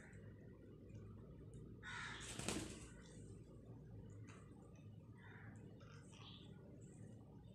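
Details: An aggressive pet parrot, said to have bitten its owner's hand, gives a short burst of harsh, grating screeches, then a few softer squawks, over a steady low indoor rumble.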